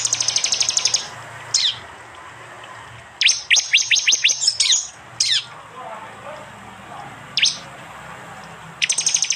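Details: Prinia 'tembakan' song captured by Android phone in East Java: dense buzzy high trills, isolated sharp notes, and a cluster of rapid slurred chirps, with quiet gaps between phrases.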